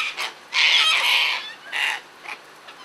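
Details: Sulphur-crested cockatoos out feeding, giving a long grating screech of nearly a second, then shorter harsh squawks, all rough and broadband.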